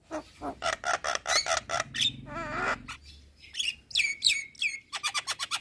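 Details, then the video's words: Asian pied starling in full song meant to provoke neighbouring starlings: rapid repeated harsh chack notes, a wavering warbled passage, then clear rising whistles and more fast chattering notes. "Burung Jalak Kebo Gacor Parah Bikin Emosi Jalak Tetangga - Kicauan Jalak Kebo Gacor"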